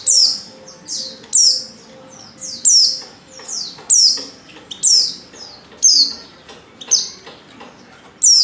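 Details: Oriental white-eye female lure call for triggering male singing: steady series of high, falling chirps, roughly one per second, with softer secondary notes between and faint low hum.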